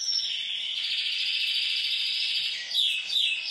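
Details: Red canary singing a sustained, rapid high rolling trill that runs unbroken for about three seconds, then breaks into brighter, sharper warbled notes near the end.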